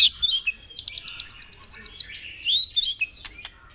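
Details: White-rumped shama song for prompting caged birds to sing: a quick series of about a dozen evenly spaced high notes, then a rising whistle and a few sharp clicks.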